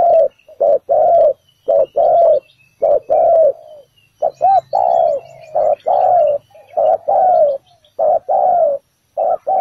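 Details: Spotted dove used as a ground decoy in a trap, giving a full set of bổi thổ calls: loud low cooing in short-then-long paired notes, repeated steadily, with faint high chirps from other birds.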